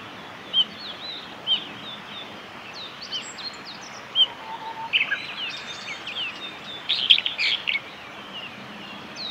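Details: Male meadow bunting singing at a forest road in Japan on 1 May 2021; short high chirps, then a rapid jumbled burst of thin notes near the end, over steady background hiss.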